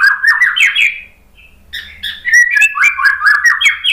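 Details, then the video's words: Lure song of a white-rumped shama, played to stir birds that are stressed and silent after moulting. Quick warbled whistles run for a second, then a short gap, then a lively stream of rising and dipping whistled notes. "MURAI BATU malas BUNYI, STRES PASCA MABUNG jadi ikut NYAUT ¦ PANCINGAN MURAI ¦ SHAMA BIRD"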